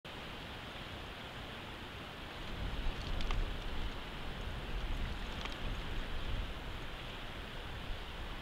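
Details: Rain-like rushing noise grows louder midway, broken by a couple of sharp clicks, without any animal voice.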